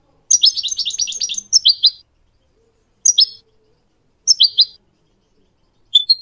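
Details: Goldfinch song used for teaching young goldfinch mules and canaries to sing: a rapid run of bright twittering notes, then short clipped two- and three-note phrases spaced about a second apart.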